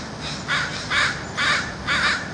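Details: Crows gathering in a city to feed call with four loud, harsh caws at an even pace of roughly one every half second, over constant low broadband noise.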